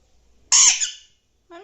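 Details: Indoor pet Alexandrine parakeet gives a single loud, rasping squawk, followed after a pause by a brief softer, voice-like sound.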